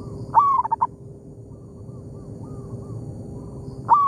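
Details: Zebra dove in an oil palm plantation exchanging calls with a decoy bird: one strong phrase of a sliding coo and rapid stuttering notes, then a run of faint distant answering coos, and the start of another loud phrase.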